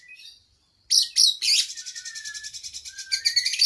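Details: Training song of an oriental magpie-robin for cage birds, with long fill-in phrases. After a faint opening and a pause, loud harsh bursts lead into a fast, even, buzzy trill of about four notes a second.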